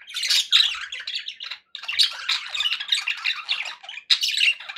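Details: Happy pet budgies produce a fast, scratchy stream of chirps and warbles, loud at the start, with two short breaks and bright whistled notes mixed in.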